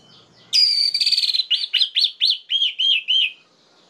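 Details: Orange-headed thrush song played to rouse rival thrushes: a harsh buzzy rattle opens, followed by about nine looping whistled notes delivered evenly and slightly falling in pitch.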